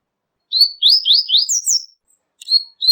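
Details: Double-collared seedeater singing, a song it uses to communicate with other seedeaters: a quick series of high, slurred whistled notes, some rising, some falling, pausing briefly before resuming.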